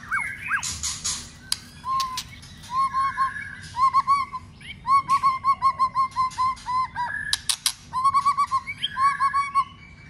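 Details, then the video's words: White-rumped shama trained for contest singing repeats short, mellow, bouncing note groups on a low steady pitch, with sharp clicks and brief high whistles interspersed. "luyện chòe Lửa hót đấu"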